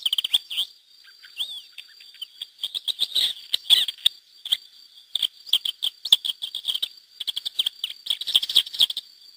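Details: Pair of wild Lesser Grey Shrikes with chicks at Mas de Melons–Alfés SPA in Lleida, Spain, released through hacking in 2009; long run of high, scratchy chattering and squeaky notes in irregular bursts with brief gaps.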